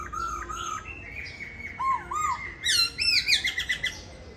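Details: Whistled, varied phrases from a caged laughingthrush at a home in Hà Nội, Vietnam, tail in molt; slurred notes build into a rapid run of bright repeated chirps.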